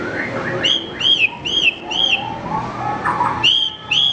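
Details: Training song of a Horsfield's bush lark: four bright arched whistles in quick succession, a lull with soft background warbles, then two more strong whistles.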